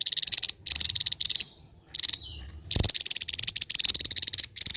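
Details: Javan white-eye, endemic to Java, singing loud 'ngebren': long runs of high, rapid buzzy pulses with short breaks, a thin falling whistle, then a sustained drilling rattle.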